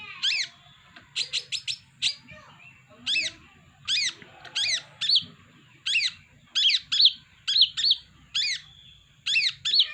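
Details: Sunbird kept at home, song used as a lure for trapping: bright, rapid chevron-shaped whistled notes, single and in quick clusters of two to four, spaced irregularly over a faint low hum.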